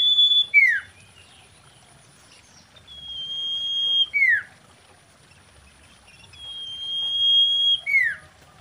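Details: Female common iora voice in mating mood, played as a lure to excite other ioras: three long flat whistles, each finishing with a sharp descending note, spaced about three and a half seconds apart.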